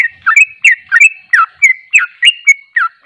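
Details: Trucuk, the Sooty-headed bulbul, delivers ropelan song: a nonstop string of short, clear, swooping notes, each dropping then flicking up, about three every second, with nothing else heard.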